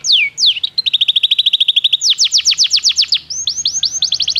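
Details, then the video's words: Belgian canary song for training canaries: two falling whistles, a steady fast trill of short chirps, then louder descending sweeps and a closing series of rising whistled notes. "O canto do canário belga fascina muitas pessoas"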